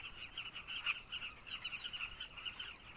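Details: Carmine bee-eaters in Zambia calling together as a dense chorus of throaty, rolling, overlapping notes with a steady mid-high pitch. Short upward chirps rise above the chorus.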